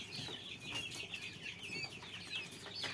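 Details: Quail chicks, several together, giving a dense chorus of high, thin chirps that arch up and down, overlapping rapidly with no pauses, with faint low rustling underneath.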